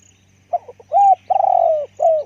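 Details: A spotted dove decoy bird with a big voice gives one coo phrase: a few soft stuttering notes, a smooth arched coo, a long buzzy purring note sliding down, then a last falling coo.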